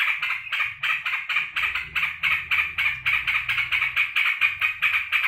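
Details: Sooty-headed bulbul in care, happily welcoming its keeper home from work: dense, quick, harsh chattering bursts over a soft low background hum.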